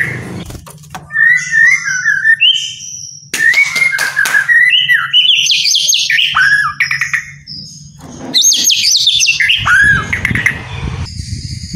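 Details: Captive white-rumped shama song, played to stir lazy birds into singing: a long, varied stream of whistled phrases, slurred rising and falling notes and high buzzy trills, with a steady low hum underneath.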